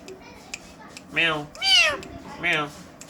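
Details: Pet Indian green ringneck parakeets talking in a mirror, the birds said to imitate a cat's meow: three drawn-out, nasal, harmonic meow-like calls in quick succession, the middle one loudest and highest.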